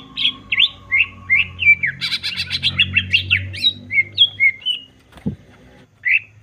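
A greater green leafbird sings a rapid, varied run of clear whistles and buzzy chattering notes, several per second, with a sharp click near the end.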